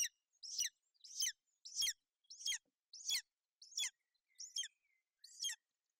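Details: Female golden eagle sheltering her chick on the nest in Bucovina from inclement weather, 28 May 2021; eight shrill, high yelping notes repeated roughly every 0.6 seconds, with faint thin whistles in between.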